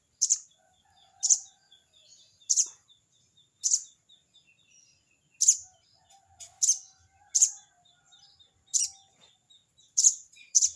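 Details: Sogon (crested jay) calling to a rival: a long, steady run of harsh, rasping crecet bursts about once a second, with a quick double near the middle. Faint repeated whistles and low notes from other birds sound underneath.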